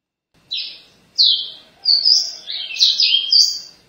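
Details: Paraense-style caboclinho song of high, sweet whistled phrases. Three spaced notes open the song, then a quicker tumbling series of slurred whistles follows. The background is quiet.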